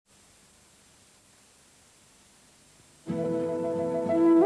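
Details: Near silence for three seconds, then piano and bowed string music begins and swells to the end, with no animal sound heard.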